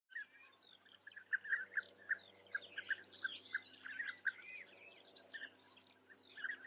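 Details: European bee-eaters in the Eifel, Germany, give short, rolling, liquid 'prruip' notes repeated every fraction of a second, several birds calling over one another against a faint background hum.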